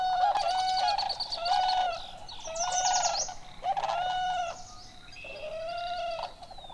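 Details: Whooping cranes from an introduced flock at Necedah National Wildlife Refuge, Wisconsin, call on a late-May evening while competing with Sandhill Cranes. Loud, ringing, bugled notes come in overlapping bursts about every second, and other birds are heard faintly behind them.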